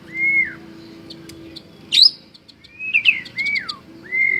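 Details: Champion white-rumped shama giving clear, drawn-out whistles that slur downward, interspersed with thin high ticks and a harsh burst, then twisting rising-and-falling whistles, with a faint steady low tone in the background.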